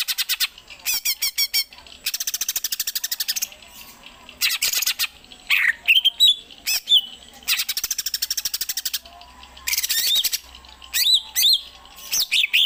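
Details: Greater green leafbird kept at home, running through song variations in the Gereja Tarung style: fast buzzy trills, rapid stuttering note runs and sweeping whistled phrases, loud and high-pitched, with short gaps.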